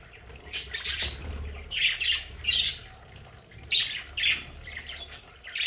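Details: Pet budgerigars in a home play area with decorated aviary, giving short harsh chirps and squawks in bursts roughly every second, with quieter chatter between and a faint low hum underneath.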